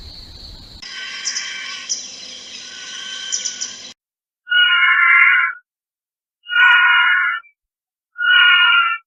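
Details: White-rumped vulture in Rajasthan giving harsh, wheezy squeals, three second-long bursts with short gaps, after a few seconds of rough, continuous hissing chatter.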